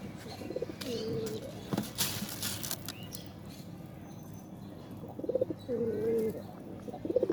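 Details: Domestic pigeons kept alongside hens, gathering to be fed: soft low cooing phrases with a brief bending tone, heard twice over a noisy background with wing flaps and scuffling.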